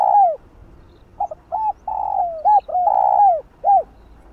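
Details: Spotted dove coo meant to rouse other doves: a long falling coo, short paired hoots, then several sustained notes each ending in a downward slide, quiet setting.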